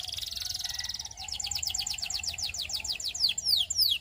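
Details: Russian canary singing: a fast, even high trill, then a series of quick descending whistled notes that slow down and grow louder toward the end. A faint low hum runs underneath.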